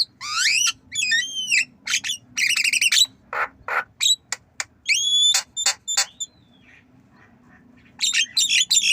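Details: Javan myna, nodding while learning to cough: harsh rasping bursts alternate with bright whistled notes that rise and fall, arriving in quick clusters. A long pause follows, then fresh rasping chatter closes the sequence.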